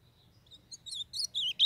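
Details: Young blue-black grosbeak of the Brazilian Northeast singing for warm-up and training: soft opening notes build into loud, quick whistled warbles sliding up and down, over faint low background hum.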